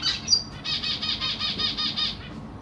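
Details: Caged zebra finches of the Black Cheek variety, June 2023, parents busy feeding three juveniles and three new babies; one sharp chirp then a fast, even buzzy pulse train lasting nearly two seconds.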